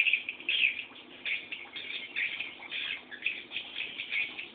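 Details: Young swiftlets waiting for a parent to come home, begging with a softer, continuous mass of high chirps that swell and fade in small pulses, many birds calling at once.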